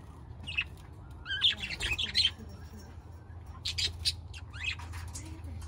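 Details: Budgerigars giving scratchy squawks and high chirps, a busy cluster early on, then scattered sharp notes and a quick rising squeak.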